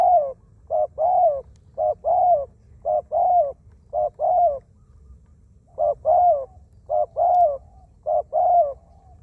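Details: Wild-caught zebra dove serving as a decoy bird, said to have a small voice and lots of coos; a steady run of eight paired coo phrases, short note then longer curved note, with one brief pause midway.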